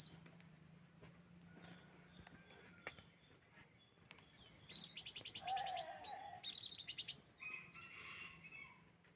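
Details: Sunbird lure call: a burst of high, bright chirps and rapid stuttering notes in the middle, with short sharp whistled upslurs, over a quiet background hum.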